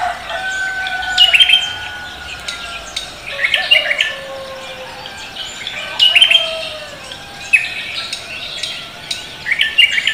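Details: Morning song of a lively cucak kombo: sharp chirps and twittered bursts repeating every one to two seconds, over steady background birdsong and faint lower whistles.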